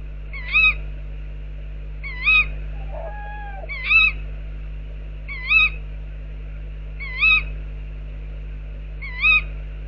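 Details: Tawny owls calling outside an owl box, six crisp, bright calls repeated roughly every one and a half seconds, with a lower, drawn-out second call briefly overlapping near the middle; constant low background hum.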